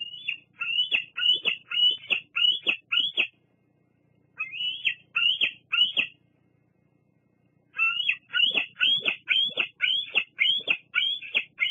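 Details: Juvenile bald eagle at the Fraser Point nest squeeing at a parent: three bursts of short, high, piercing squealing notes, about two per second, separated by silent pauses.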